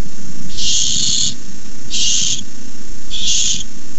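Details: Rasping, hissing screeches of barn owl nestlings begging over a delivered rat; three long broad noisy bursts spaced about a second apart, with low steady hum beneath.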